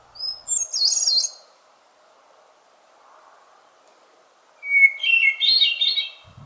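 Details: A Hermit Thrush (Catharus guttatus) in northern spring woodland sings two fluty phrases, each a long pure held note breaking into a swirling, echoing cascade, the second pitched lower, over a faint hum.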